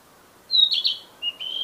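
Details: Narcissus flycatcher in the wild: a high pure whistle followed by a burry, warbling note, then two more bright whistles rising toward the end.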